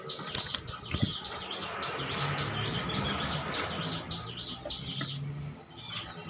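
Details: Bar-winged prinia song used to coax other birds into singing: a fast run of high, scratchy chip notes repeated at an even pace over background hiss.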